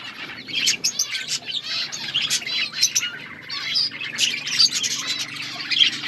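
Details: Budgerigars chirping in an outdoor colony: warbled, wavering twitters from many birds, with a low steady hum in the background.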